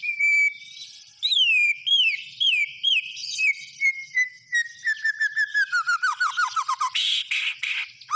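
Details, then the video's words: Gacor singing from a white-rumped shama (murai batu): a long steady whistle, then repeated downward-curving whistled notes that gradually drop in pitch and speed up into a rapid descending series, ending in harsh chatter. "SUARA BURUNG MURAI BATU GACOR"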